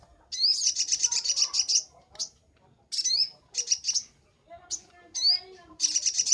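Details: Master recording of a sunbird for training birds: long high buzzy trills broken by bright upslurred notes and brief silences, with faint lower chatter underneath.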